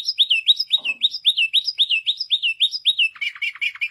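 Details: White canary singing: a steady series of about a dozen identical swooping whistled notes, each dipping then rising, repeated roughly four times a second, ending in a faster buzzy chattering trill.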